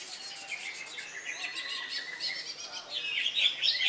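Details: Contest-stage greater green leafbird in Indonesia, newly moulted, Saturday 3 September; quieter chattering and whistled fragments build into a louder, shrill trilled finish against a busy background of other songbirds.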